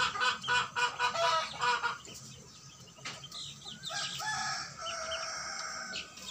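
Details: Sixty-day-old young rooster on a small home-scale native chicken farm gives a first crow: after a run of quick repeated clucks, a harsh, wavering crow lasts about two seconds, with other chickens around.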